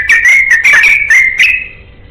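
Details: A yellow-vented bulbul seeking a companion gives a short ropel burst of four or five quick, chattering whistled phrases, ending in a trailing note.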